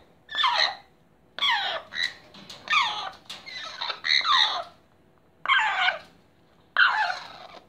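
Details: Blue-and-yellow macaws queueing for food give harsh, raucous squawks that drop in pitch, in bursts about every second or so with short pauses between.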